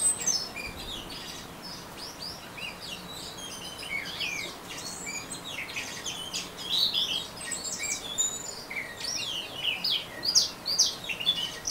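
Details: Orange-headed thrush singing a long ngeriwik sequence of dense, high, chattering notes and quick slurred whistles, about two per second, growing busier in the middle.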